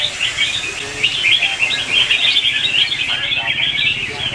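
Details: Red-whiskered bulbuls in a morning singing contest, recorded as lure song for bird training: a lively tangle of quick warbled notes and chirps from several birds, loudest in the middle of the clip.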